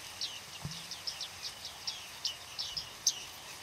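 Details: Bearded reedling flock in autumn at Flamingo Lake, Shirvan National Park, Azerbaijan, 8 November 2013: a loose series of short, high, pinging calls about every third of a second, with one low thump near the start.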